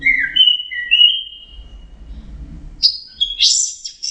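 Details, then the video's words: Orange-headed thrush song used as a lure for stressed birds that have stopped singing: clear whistled notes sliding down, then a long high whistle, a pause with low rumbling, and then buzzy, scratchy high phrases. "pancingan Anis merah setres dan macet bunyi"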